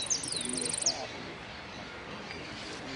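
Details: A finch in a song contest (third place, yellow unclosed category, Merlo, 3 December 2017) gives a quick burst of high, bright, twittering notes under a second, then falls quiet against soft hiss.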